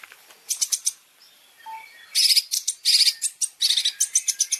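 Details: Long-tailed shrike (cendet) masteran fill of champion song: a quiet start with a few soft low whistles, then loud bursts of scratchy high chattering and rapid notes.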